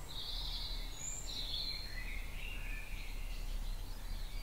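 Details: Birds in a spring dawn chorus in a back garden at 4.30am on 9 April 2018: high warbling phrases flowing almost continuously over a constant low rumble of ambient noise.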